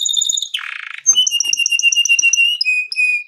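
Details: Canary gacor song for baiting: high whistled repeated notes, a harsh buzzy roll, then a rapid series of bright repeated whistles dropping to a lower steady run.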